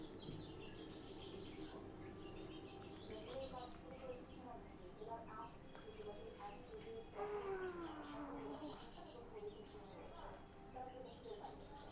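A young budgerigar chatters in soft, warbling chirps, with one longer call sliding downward in pitch.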